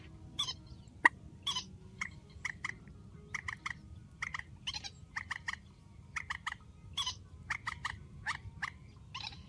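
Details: Grey-headed swamphen (trích) calling strongly, the trích ghép number 4 call: evenly spaced harsh, nasal clucking notes, several per second, running in loose groups over a soft, steady background rumble.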